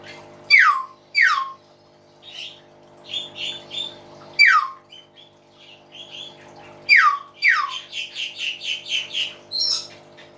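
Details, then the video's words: Loud hill myna song: several sharp downward-sweeping whistles, then a fast run of rhythmic clucking notes and bursts, ending in another high squawk, with faint steady background hum. "BEO GACOR SUARA ALAM"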